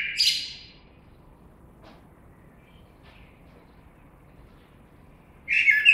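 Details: Blackbird phrases at both ends of the clip, a brief warbled fragment, then near-silence with faint distant ticks, then another phrase starting.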